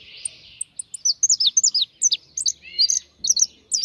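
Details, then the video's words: European goldfinch song: a rapid run of bright, tinkling high notes and short twittering slurs, some rising and falling, delivered in quick succession with a brief buzzy opening. "Mi jilguero"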